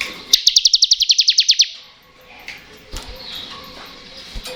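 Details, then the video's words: High, rattling ngebren song of a bar-winged prinia, played to stimulate lazy and untrained birds: one quick burst of roughly fourteen shrill, buzzy pulses, followed by softer scattered chirps and faint background sounds. "Ciblek Ngebren Cocok Untuk Pancingan Ciblek Bahan dan Ciblek Malas Bunyi"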